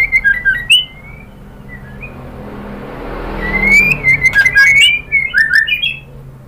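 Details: A female white-rumped shama calls to the male with quick clear whistles at first. After a rushing noise, a burst of rapid, varied whistled notes rises and falls in pitch.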